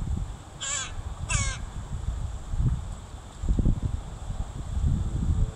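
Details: Crow mother guiding her young while foraging, recorded 26 July 2019: two hoarse, nasal caws in quick succession early on, then only a low rumbling background with faint thuds.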